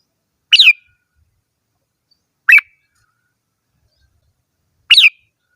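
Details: Red-whiskered bulbul singing: three short bright notes, each a quick rising-and-falling whistled flourish, spaced about two seconds apart with silence between.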